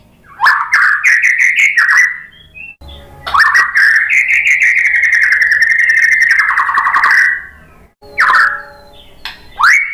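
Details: White-rumped shama lure song aimed at making other shamas answer: quick rising whistled notes, then a long rapid trill held at one pitch for about four seconds, followed by upward-sweeping whistles.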